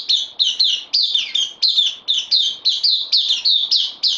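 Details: Caged bulbul, a newcomer on loan, recorded 12 September 2020, singing a rapid run of bright, falling chirped phrases, about fourteen in four seconds, each one sharp-edged and closely spaced.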